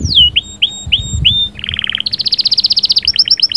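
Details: Canary song to excite a female: four repeated descending whistles, then a low rapid buzzy trill, a higher fast trill and quick two-tone chattering notes.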